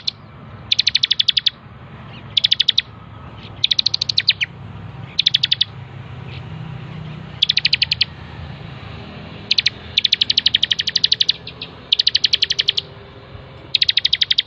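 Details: Bar-winged prinia (ciblek) in full persistent song for a bird-training master: short bursts of rapid staccato high-pitched notes, some bursts lengthening into longer rattling runs, repeated throughout with low-frequency hum beneath.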